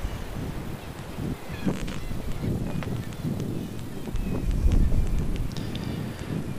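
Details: Northern fulmar at Vík í Mýrdal giving low, guttural cackling calls in rapid, uneven bursts, over a rumble of wind or surf.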